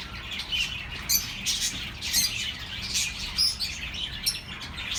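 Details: Pet birds chattering, played to comfort lonely birds: dense high twittering with quick chirps and short squawky notes, clustered in bursts about every half second, with soft background hiss.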